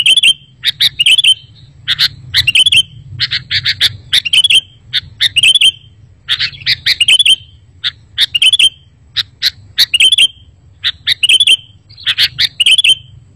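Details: Kutilang, the sooty-headed bulbul, on a training and lure track meant to draw wild birds and make lazy caged birds sing back: rapid clusters of high clipped chirps and tweets, repeated steadily with short gaps, faint background hum.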